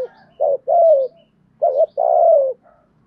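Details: Spotted dove in thúc gù calling, giọng thổ voice: two loud phrases, each a short hooked coo followed by a drawn-out, gently falling hoot, with a soft trailing note after the second phrase.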